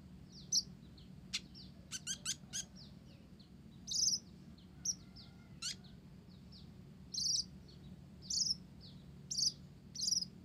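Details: Olive-backed sunbird of the blorok (mottled) type singing hard, its song stuffed with Java sparrow phrases: a busy string of thin, high tinkling notes and quick clicks, with a faint lower whistle beneath.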